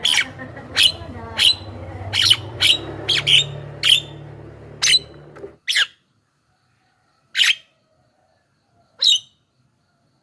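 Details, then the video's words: Javan myna used to call in wild mynas, sounding a run of sharp, squeaky notes over low hum, then three isolated harsh notes after the background goes quiet. "SUARA BURUNG JALAK KEBO,suara masteran paling dicari,ahli pancingan dengan variasi suara"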